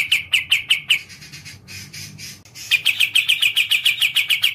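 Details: Kapas tembak, a songbird of the kapasan bulbul group, in a rapid series of sharp, bright chirps repeated nearly twice a second, a brief quieter pause, then a faster run of the same clipped notes.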